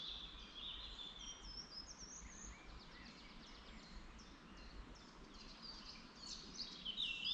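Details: Several birds sing high, thin twittering phrases and whistled notes, overlapping in a woodland chorus in a forest in Lower Saxony, Germany, above a steady low background rumble.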